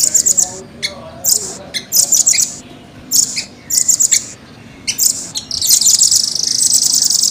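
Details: Short bursts of high, quick trills from a caged velvet-fronted nuthatch, spaced irregularly, closing with a long, steady rolling trill.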